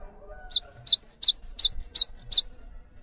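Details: Cinereous tit in steady song, used as a master for training other birds: about six brisk paired whistles, a rising upswept note then a high thin note, repeated in a fast even rhythm over two seconds.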